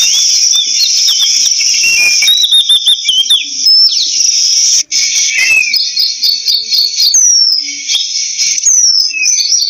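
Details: Whistled phrases from an Oriental magpie-robin, with bright upslurred and downslurred notes and short warbled bursts, partly masked by a loud, continuous high-pitched insect-like hum.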